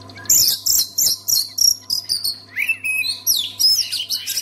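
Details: Song of the Oriental magpie-robin, or kacer, used to coax silent birds into singing; evenly spaced bursts of high, harsh chirps about three a second, followed by swooping whistled phrases and more shrill chatter over a faint hum.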